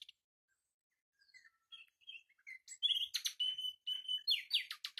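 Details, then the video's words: Common nightingale builds from soft, scattered chirps to loud, varied phrases: sharp repeated notes, clear level whistles and harsh rapid clusters in quick succession. "بلبل هزار دستان آواز"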